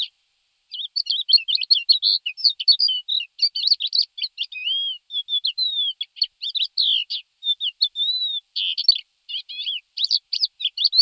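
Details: Thekla's lark giving a long, rich run of varied, rapid warbled and trilled phrases, fluty notes mixed with scratchy chirps, near-continuous with brief pauses, clean and free of other sounds.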